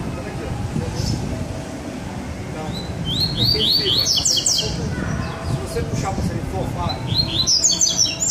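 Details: Double-collared seedeater, two birds present: a quick string of rising, buzzy high notes building into a scratchy flourish mid-clip, another burst at the end, over a steady low urban hum.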